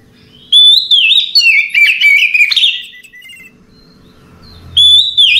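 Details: Relaxed nighttime song from an Oriental magpie-robin: a long, varied run of fluty whistles and quick warbled notes lasting about three seconds, a pause, then a fresh whistled phrase beginning.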